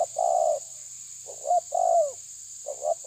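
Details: Spotted dove calling while challenging a rival: soft mellow coos, a short double note followed by a longer falling coo, about three phrases over three seconds, with a steady high insect-like hum behind.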